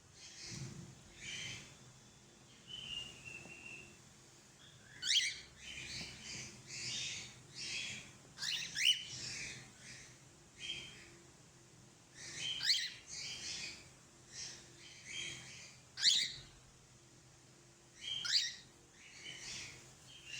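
A cockatiel gives bursts of harsh, high chattering calls with brief whistled notes between them.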